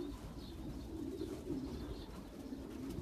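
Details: Racing pigeons of champion long-distance lines cooing steadily, a low, throaty warble that rises and falls without pause over a soft background rumble.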